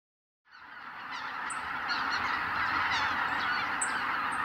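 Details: Huge wild flock of greater white-fronted geese lifting off from the roost at sunrise, Kabukuri-numa marsh, Miyagi Prefecture, Japan. Calling begins abruptly and swells into a dense, continuous wall of overlapping nasal honks and yelps, with higher squeaky notes above.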